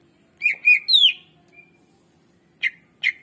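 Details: Greater green leafbird song for prompting birds that rarely sing: two short chips and a rising-then-falling whistled slur, a pause, then two more sharp chips.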